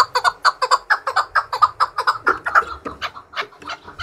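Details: Chukar partridge trained to fight, singing against rival partridges: rapid rhythmic chuk-chuk notes, about four per second, harsh and full-toned, sometimes paired, continuing evenly throughout.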